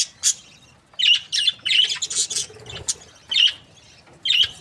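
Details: Happy budgerigars from breeding pairs give loud, bright chirps in quick clusters, each a sharp rising-falling tweet, with short pauses between groups and a busier run of chatter in the middle.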